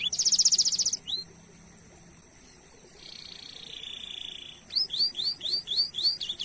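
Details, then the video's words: Domestic canary song used as a training lure to stimulate other canaries to sing, in the long-rolling 'cuit cuit' style. A fast, dry trill opens, then a lone upslurred note and a soft buzzy hold, ending in rapid repeated upslurred chirps. "Masteran Suara Burung Kenari Gacor Nembak Suara Unik/Pancingan Ampuh Kenari cuit cuit Ngerol Panjang"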